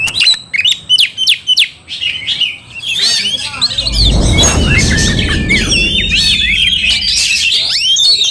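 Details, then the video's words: Oriental magpie-robin fighting and angered, tail spread: sharp high chirps and whistled phrases, first in short bursts, then over a steady loud rushing noise from about halfway. "Kacer tarung bongkar emosi buka ekor dongkrak amarah bikin kacer lain tambah Garang"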